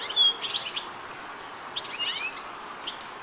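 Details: European goldfinch in Rombergpark, Dortmund, on 1 August 2013, giving quick, high, tinkling twitters and short slurred notes, several overlapping, over a steady soft background hiss.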